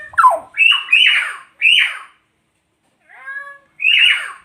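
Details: Nias hill myna, endemic to Nias island, Indonesia, uttering loud raspy descending calls in a quick run of four, then a soft harmonic note and one more harsh squawk after a short silence.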